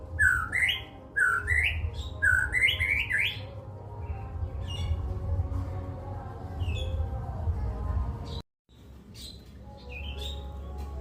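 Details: White-rumped shama in cililin-style song: repeated rising whistled upsweeps at the start, then quieter scattered notes over a noisy low hum, with a brief cut in sound near the end.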